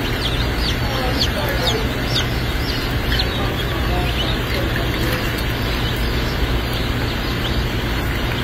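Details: Buff Orpington baby chicks hatching at a hatchery in Lebanon, Missouri; many thin, high peeps, each a short falling note, scattered densely through the clip over a steady low machine hum.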